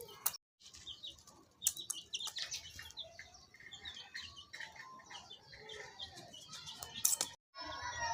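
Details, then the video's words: Baby chicks peeping in a steady chorus of thin, high, falling chirps, interrupted by sharp clatters of handling noise and two brief drops to silence. "Baby chicks chirping sounds"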